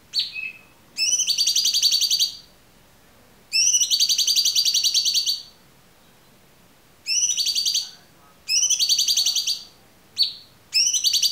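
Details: Cucak cungkok song in a clear training recording: bursts of a rapid, buzzy, very high trill lasting one to two seconds, separated by short silences, with a few single sharp chirps between bursts.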